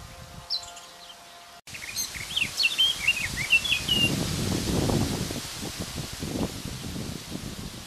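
A male Eurasian blackcap gives a brief, quick warbling phrase of bright, varied notes, partly masked by strong gusting wind and rustling leaves.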